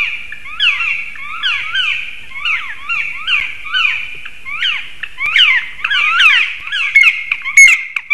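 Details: Loud shouting black woodpeckers at a nest tree in Sigulda, Latvia, 30 March 2021, three birds in a possible territory defence: repeated harsh, downslurred squawks in rapid irregular series, growing denser and louder toward the end.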